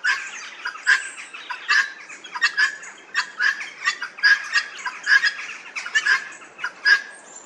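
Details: Helmeted guineafowl (Numida meleagris), several birds, in an old English churchyard in Northamptonshire, give loud, harsh, grating squawks overlapping in ragged bursts of about one a second.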